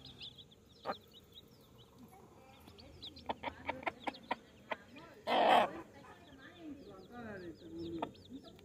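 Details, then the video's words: Baby chicks with a hen in a village setting: thin, high chirps that rise and fall, repeated throughout, with sharp clicking taps, low clucks and one loud broadband burst midway. "Baby Chicks Chirping Sounds"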